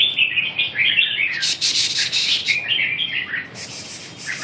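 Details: Red-whiskered bulbul giving continuous lively warbled and chirped notes, with a burst of harsher broadband chatter in the middle and more chirps near the end.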